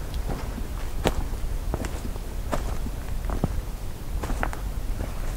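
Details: Footsteps crunching and shuffling over a low background rumble, with no animal voice present.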